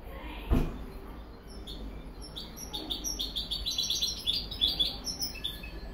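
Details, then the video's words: A captive European goldfinch hybrid sings a fast, tinkling twitter of high, liquid notes and trills, preceded by a dull knock. "Mixto jilguero"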